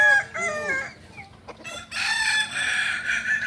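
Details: Kukuak balenggek rooster crowing during a practice contest in Panyakalan, Solok: a short run of terraced crow syllables, a lull, then a strong wash of overlapping crows from other birds.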